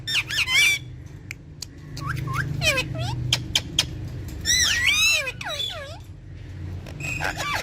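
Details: Pet rose-ringed parakeets, several together, giving harsh squawks and quick rising and falling slurred notes in bursts, with rumbling background noise throughout.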